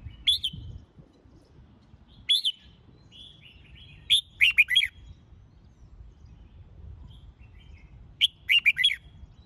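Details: Red-whiskered bulbul competition-training song: repeated short phrases every two seconds or so, first single ringing whistles, then rapid groups of three to four liquid, bouncing notes, against a quiet low hum.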